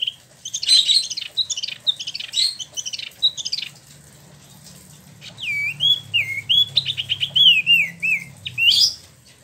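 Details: Caged Spot-throated babbler from mainland China and Vietnam, kept in Bandung, Indonesia: a jumble of high chattering notes, a short pause, then a long series of falling slurred whistles ending in a sharp upsweep.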